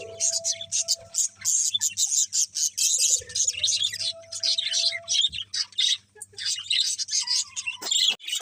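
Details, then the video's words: Birds chirp in the morning in rapid, choppy bursts of shrill squawky tweets, pulsing on and off several times a second, over a faint low hum. "Cute Birds Chirping Sounds In The Morning"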